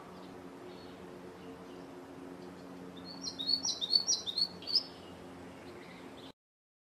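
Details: Yellow-throated woodland warbler, a forest bird, singing a sweet song: a brief burst of high, thin, rapid twittering notes lasting under two seconds midway through, over a steady low background hum.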